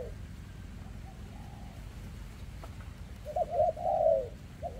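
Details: Spotted dove with a leg defect, 2024, in its thick rước cooing. Faint distant coos first, then one louder phrase of short coos running into a long wavering falling coo, with a steady low hum.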